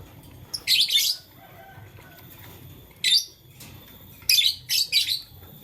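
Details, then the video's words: A blue lutino green lovebird playing with a flower; short bursts of high, scratchy chirps come in four clusters over about five seconds, separated by quiet pauses with faint low background hum. "LoveBird Playing Flower - Chirping Sound"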